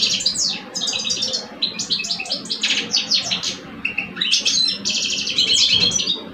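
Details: Male European goldfinches in a singing contest, an old bird against a two-year-old, pour out fast jingling twitters, buzzy rattles and clear chirps in overlapping phrases over a quiet low rumble.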